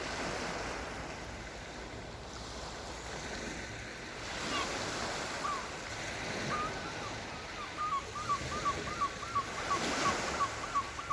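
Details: On the Yalta seafront, Black Sea, in autumn (October 2020), calm surf rolls throughout, then a gull gives a quick run of short, clipped mid-pitched notes, about three per second, over the final five seconds.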